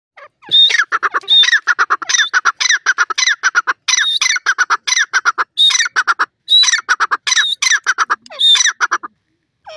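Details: Partridge calling: a loud, rhythmic series of harsh, clipped notes repeated several times per second in bursts, each with a higher squeaky element on top, in a quiet setting.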